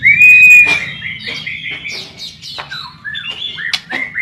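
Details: White-rumped shama in busy song, used as a training and luring recording: a long, even whistle opens, followed by quick varied chips, slurred notes and sharp rising accents, with a low rumble underneath.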